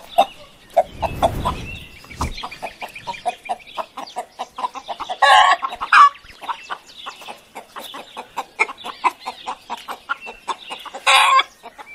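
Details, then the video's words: Chickens clucking busily: dense, overlapping short clucks throughout, broken by two brief loud raspy squawks. "SOM DE GALINHAS 🐔 - CACAREJANDO"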